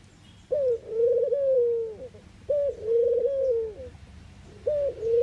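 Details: Eurasian collared dove, Netherlands, cooing in a regular rhythm: a clipped introductory note leading into a long, soft, low rolling coo, two full phrases and the start of a third.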